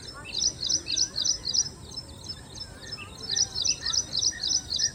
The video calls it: Incredible Singing by Ashy Prinia